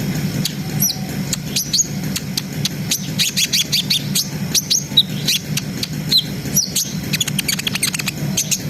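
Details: Brown-throated sunbird singing vigorously in a continuous trilling, shooting style, used to raise breeding arousal in untrained birds: rapid sharp high chirps and clicky notes over a steady low hum.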